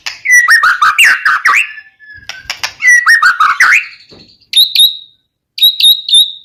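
An Oriental magpie-robin sings loud, varied phrases of rich whistles and sharp chattering notes, then switches to clear, ringing repeated whistles.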